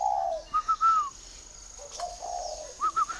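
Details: Spotted dove from a dove-keeping garden in Ba Vì, Hanoi, northern Vietnam, giving soft cooing phrases: a lower drawn-out coo followed by short rising-falling notes, repeated twice, over a steady high electronic whine.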